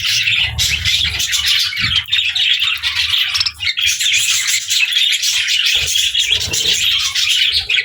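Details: Chattering pet budgerigars alongside lovebirds, eating together; a steady wall of high twittering and buzzy warbles, dipping briefly around three and a half seconds before resuming at full strength.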